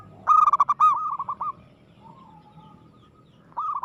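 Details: Zebra dove singing vigorously and aggressively: a loud rapid run of cooing notes that trails off into softer coos, then a new phrase begins after a short pause.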